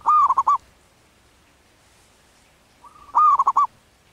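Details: Zebra dove, wild local bird in breeding condition, giving its manggung song: two phrases about three seconds apart, each a held note dissolving into a quick rolling series of pulsed coos, with near silence between.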